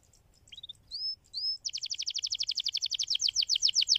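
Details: Canary singing to stimulate other canaries: soft short notes and two rising whistles, then a long rapid trill of sweeping notes building in loudness; faint background hum.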